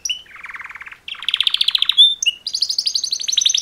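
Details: Song of two male canaries calling to mate: a soft low trill, then louder rapid trills, a clear whistle and quick high repeated notes.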